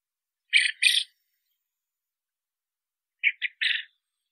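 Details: A common quail gives a loud double note, falls silent for two seconds, then repeats with a rapid three-note phrase, clear and isolated.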